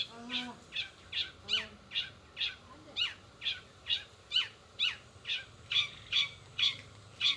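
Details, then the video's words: Long-tailed shrike in fast 'roll speed' song, with mimicked sparrow, sogon and canary notes. Sharp downslurred chips repeat steadily about twice per second, with some lower soft notes early on. "cendet rol spid"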